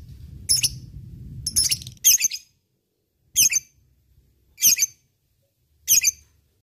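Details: Lovebird of fighter type, ngekek training lure: six separate sharp, squeaky high chirps at uneven intervals of about a second, first over low rumble, then over quiet.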